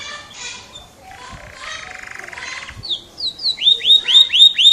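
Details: F1 canary song opening with soft scratchy chatter and a low rattling trill, building into loud, evenly repeated upslurred whistles about four per second.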